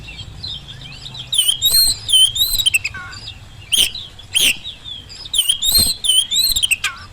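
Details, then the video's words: Oriental magpie-robin as a lure for lazy birds, home or contest field: varied whistled phrases swinging up and down, punctuated by loud harsh rasps and a few low descending slurs, against a faint low rumble. "kacer gacor pancingan kacer malas bunyi saat di rumah maupun di lapangan jadi cepat nyaut"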